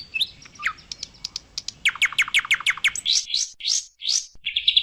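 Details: Oriental white-eye training recording (masteran): a varied phrase of high chirps and a short buzzy note, then a rapid run of evenly spaced sharp notes, followed by several slurred, rising-falling whistled notes.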